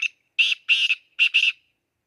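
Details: Excited black francolin giving a rapid series of harsh, scratchy notes, a brief note followed by two doubled rasping bursts, over roughly one and a half seconds with nothing else audible.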